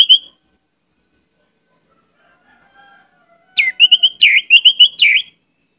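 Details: Orange-headed thrush in lively full song, rich in borrowed phrases: a short whistle at the start, then after a pause a burst of quick, rising-and-falling whistled notes near the end.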